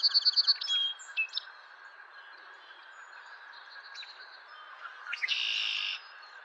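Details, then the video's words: Song of a male song sparrow, April 10, 2023, opening mid-trill with clear rapidly repeated notes and brief twitters, then a quiet gap and a harsh buzzy phrase near the end, with distant birds calling softly. "Song Sparrow"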